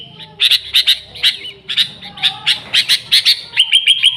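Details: Sooty-headed bulbul in full lively song, a recording meant to lure the species. Rapid chirps come in tight clusters, ending in a short series of clear, evenly repeated whistled notes.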